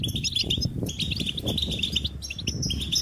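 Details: Lively goldfinch twittering with rapid high chirps and short trilled notes, heard over steady low-pitched rumbling and flutter-like background noise.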